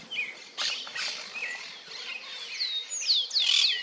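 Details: Yellow-billed cardinals, busy with a car's mirror for a while: a string of sharp chirps and quick descending whistled notes, some overlapping, coming in short bursts, loudest and densest toward the end.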